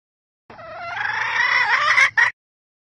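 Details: Calling Red junglefowl hen, used to rouse males in Vietnam: a long drawn harsh note rising slowly for nearly two seconds, ending in two short emphatic clucks.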